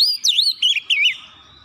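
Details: Oriental magpie-robin lure song for rivals: a long sustained whistle breaking into three twisting, down-slurred whistled phrases, fading away.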